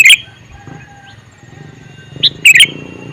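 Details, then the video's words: Male sooty-headed bulbul calling: a loud, bubbly burst at the start, a faint short note near one second, then a single clear note followed by a double burst near two and a half seconds. "Suara Burung Kutilang Jantan MeManggil"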